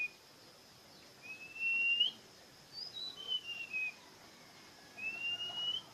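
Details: Bird song with clear, pure whistled notes, each held steady or gently rising before a quick upward flick, in three phrases over six seconds, with quiet gaps between and a faint background hiss.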